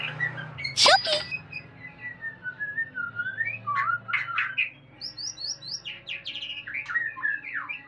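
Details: White-rumped shama during mating: a sharp loud click-like burst, then flowing whistled phrases, rapid high trills and quick chirps in varied bursts over a low hum.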